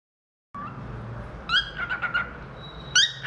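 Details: Pet cockatiel singing and chirping: a short rising chirp, then a burst of harmonic chirps around the middle and a sharp rising note with a steady whistled tone near the end, against low room hum.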